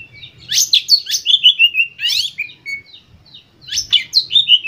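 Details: Emotional white-rumped shama singing, used to spur caged shamas into full song; rapid sequences of sharp downward-swept whistles and chattering notes repeat in loud phrases with brief gaps.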